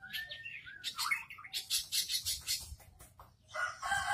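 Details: Long-tailed shrike kept in front of a house in full continuous song, a fast jumble of short whistles, downward-slurred notes and dense raspy chattering bursts in quick succession, with a brief pause before another scratchy phrase.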